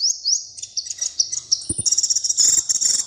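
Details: Small brightly coloured bird singing: high thin rising whistles, then a run of quick sharp chirps building into a dense, rapid twittering trill near the end, with a couple of soft low knocks midway.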